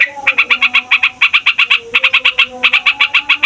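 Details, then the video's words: Rolling yellow-vented bulbul song, used as a lure for wild birds and to set caged ones singing: fast runs of bright chattering notes split by short gaps, faint low hum underneath. "TRUCUKAN FIGHTER NGEROLL PANJANG BIKIN SEMUA JENIS BURUNG OCEHAN EMOSI"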